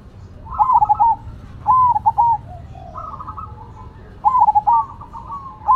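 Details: Zebra doves, Cemani versus Silver, singing hard: repeated bubbling coo phrases at steady pitch, four groups with pauses, and softer overlapping phrases from a second bird.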